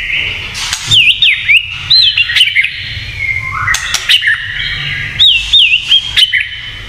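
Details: White-rumped shama singing kretekan to provoke other shamas: bursts of clear looping whistles in short groups, separated by brief silences and crisp clicking notes, repeated several times.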